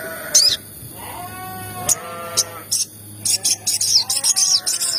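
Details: Crimson sunbird chirps used as a lure to trigger sogon birds into calling: scattered shrill high notes that quicken into a rapid run of short chirps, over lower, sliding harmonic calls.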